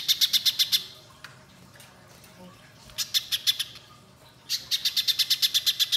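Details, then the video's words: Spiderhunter singing long bursts, played to get young spiderhunters singing: short runs of rapid, high, clipped chips with quiet gaps between, the last run longest and steady. "Pijantung Pisang Gacor Nembak Panjang"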